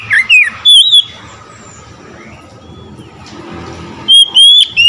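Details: Oriental magpie-robin singing excitedly after hearing another magpie-robin: a quick set of twisting, sliding whistles, a pause of about three seconds with low background noise, then loud bright whistled notes returning.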